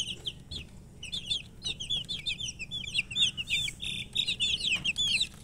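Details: Several chicken chicks peeping continuously, shrill descending chirps running together in quick overlapping bursts, a few soft thumps beneath.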